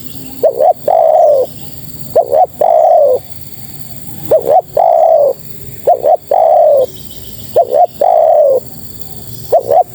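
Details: Female spotted dove summoning males with mellow coos: a quick paired note leading into a sustained, slightly descending coo, repeated at an even pace against faint background noise.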